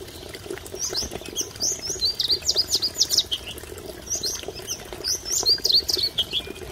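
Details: A masked wagtail at Mahodand Lake gives two quick bursts of sharp, high chirping notes, tumbling up and down, over a steady low rush like flowing water.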